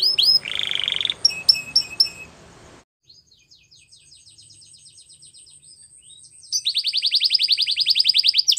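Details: White Belgian canary: a buzzy tone and sharp repeated chips, then a quiet stretch of faint high ticking, before a loud, fast, even rattling trill resumes.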